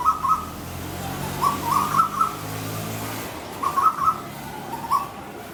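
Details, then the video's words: Cuckoo in a garden giving fighting calls as communication: quick bubbling clusters of mid-pitched notes in irregular bursts, several groups over about five seconds, with a soft low hum in the background. "Sound of Cuckoo bird fighting"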